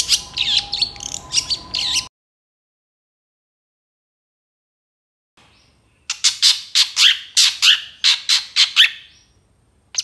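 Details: Long-tailed shrike singing a mimicry-rich training song for other birds: a dense, harsh, chattering burst, a long silence, then a series of rasping squawky notes about once a second.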